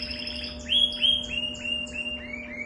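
A canary sings a fast run of sliding, upswept whistles, about three or four a second, over a steady indoor hum.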